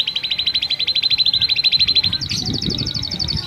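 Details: Canary singing to rouse females for mating, also used as a master song for young birds; a fast rolling trill runs evenly for two seconds before jumping to a higher, quicker trill.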